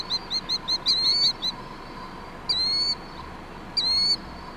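Killdeer calling: a quick run of shrill, high piping notes, then two drawn-out, slurred cries about a second apart. A faint steady hum sits underneath.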